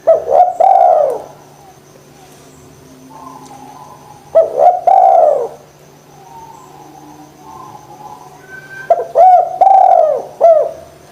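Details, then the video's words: Spotted dove calling, used to prompt idle doves to start cooing: three phrases spaced about four seconds apart, each a quick rising note followed by a rich, falling coo, with faint chirps between. "DERKUKU GACOR PANCINGAN JITU ATASI DERKUKU MALES BUNYI"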